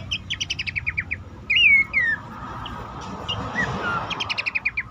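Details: Horsfield's babbler lure call meant to make stuck or stressed caged birds sing. A rapid string of chips is followed by two loud whistled slurs, then faint notes and another quick chip series over background murmur.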